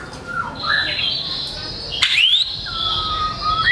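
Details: White-rumped shama in full song, used to coax sluggish birds into singing: a long sustained high whistled note, a sharp rising sweep, then a smooth descending whistle.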